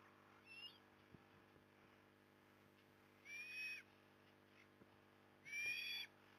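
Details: Osprey on a camera-watched nest in Port Lincoln, Australia, afternoon of 15 September 2020 with a big fish: a faint whistled note, then two louder drawn-out whistles about two seconds apart, with soft clicks.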